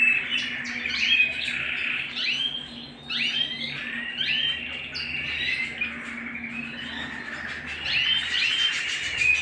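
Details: Canary singing at home, pouring out a rapid run of bright twittering notes, sweeping slurs and quick trills in bursts with a short pause midway, over a low steady hum.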